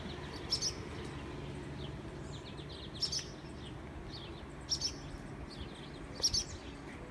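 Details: Barn swallows nesting on a garage security light, swooping at people near the nest, filmed on an iPhone 6 in humid weather; sharp high paired chips spaced about every one and a half seconds over steady low background hum.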